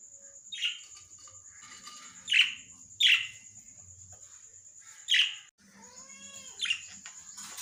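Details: Lovebird uttering sharp, grating squawks spaced a second or two apart, with softer chirping between them and a short buzzing, harmonic-rich note near the end, over a faint steady whine.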